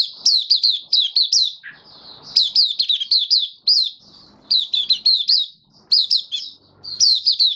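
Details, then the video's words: White-eye in open song (buka sing), recorded 18 May 2022 after completing deworm treatment and supplements; bursts of sharp, high, downslurred chirps in quick clusters separated by short pauses, with soft room noise between phrases. "Mata Puteh Kitaro buka sing"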